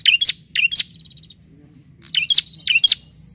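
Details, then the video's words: Bar-winged prinia calling to a rival; sharp high chirped notes, each a quick upward flick, given in pairs and short bursts with a pause near the middle. "SUARA PRENJAK GACOR MEMANGGIL LAWAN"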